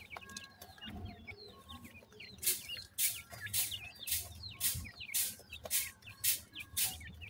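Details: Grey francolin chicks: thin high chirps rising and falling, repeated steadily about twice a second, with broadband clicking bursts and a low hum beneath.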